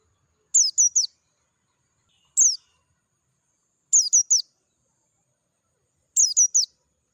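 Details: Wild Oriental white-eye of the Dakun type singing clearly in natural surroundings: very high, thin, descending slurred whistles in quick bursts of one to three notes, four bursts about every two seconds, no other sounds.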